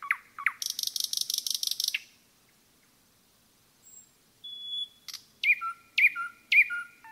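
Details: Common nightingale singing in a forest: a loud, rapid buzzy trill of repeated notes, then silence, then pure whistled notes and sharp, sweeping chirps in short phrases.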